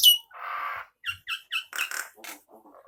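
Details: Male Nias hill myna for training other birds: a high squeal, a harsh buzzy rasp, then several short clear whistled notes and rough squawks.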